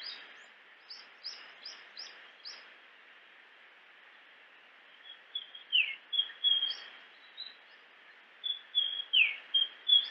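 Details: Japanese grosbeak: a series of short high chips roughly every half second, then louder whistled phrases with downslurred notes repeated in two bursts, over constant background hiss.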